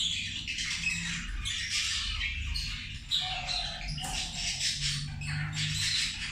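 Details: Zebra finches eating produce a constant tinny babble of clipped nasal calls in uneven waves, with occasional sharper squeaks and a low background drone.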